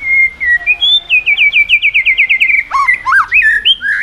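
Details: White-rumped shama singing energetically to stimulate other birds: a loud steady whistle leading into a long rapid run of looping warbled notes, then a few rich, rising and falling whistles.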